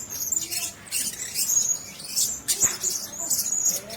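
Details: Caged Blue-crowned hanging parrots sharing one cage: shrill, thin, high notes come in short bursts, with frequent scratchy rustling and a sharp click in the middle.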